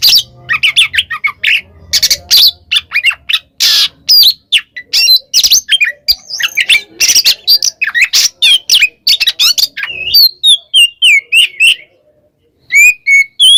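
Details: Calling a rival, an Oriental magpie-robin sings ngeplong: an opening burst of harsh, buzzy, crowded notes over a low hum, then clearer rising and falling whistles and chirps, ending in a short pause and a few sharp notes.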